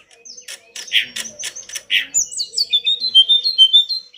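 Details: Pied bush chat master song for training caged birds: a few harsh buzzy chirps, then a fast run of descending whistled notes, about two per second, over a low constant hum.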